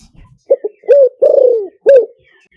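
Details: Liw tan style spotted dove song for luring: a string of short low coos leading into a long, slightly falling purred croo and a final clipped coo, with faint background noise.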